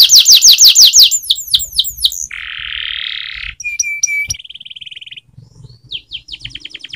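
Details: Canary training song mixing loud fast descending notes, a harsh buzzy burst, a clipped high note, a thin even rattle and a final run of short rising and falling notes.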